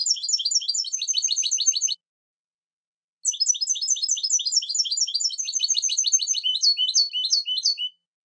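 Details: European goldfinch song shared for silvestrismo enthusiasts: two bursts of rapid, tightly repeated high chirping notes forming a fast rattling trill, separated by about a second of silence; no other sounds.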